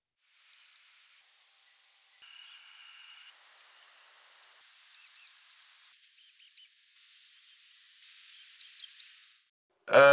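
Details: Tree Pipit diagnostic compound flight call during nocturnal migration: short high buzzy notes in groups of two to four, the first often highest and the following slightly lower, repeated across the clip, with a sharp click at the end.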